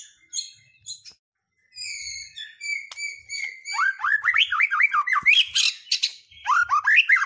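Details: White-rumped shama singing to goad other birds into song: sparse high notes and a steady whistled tone, then a fast run of repeated slurred whistles that quickens toward the end.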